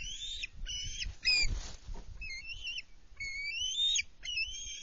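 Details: Bald eagle fledgling at the nest on 24 June 2020 as parents bring food and a live fish; wavering high whistled calls in short bursts with a gap of rustling noise in between.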